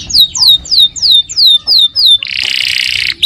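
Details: Canary song recorded for training other birds: six clear high whistles sliding downward about every third of a second, followed by a loud harsh buzzy rattle.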